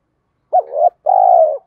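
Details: Spotted dove cooing to stimulate other doves to coo: two low, hollow coos, a short rising-falling note followed by a longer steady purring coo.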